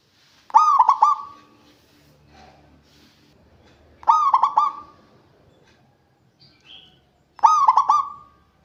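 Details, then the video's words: Perkutut, a local zebra dove, calling as a lure for birds reluctant to sing: three rolling coo phrases spaced about three and a half seconds apart, each ending in a sustained note, with faint background rustling and a brief high chirp. "Suara Panggilan Perkutut untuk pancingan yang malas bunyi"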